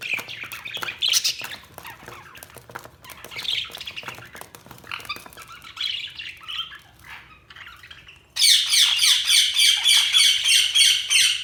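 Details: Budgerigars chirping: scratchy warbled chatter with squawky notes over a background hum, then a loud burst of dense rapid chirping from several birds in the last few seconds.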